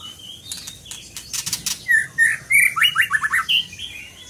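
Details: Scarlet minivet in song, a brisk run of clear slurred whistles repeated rapidly after several crisp clicking ticks, the notes dipping and climbing in a lively chattering phrase.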